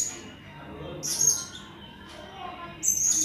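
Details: Blue-crowned hanging parrot on a training recording for contest cage birds: two thin, very high squeaky notes about two seconds apart over a quiet hiss.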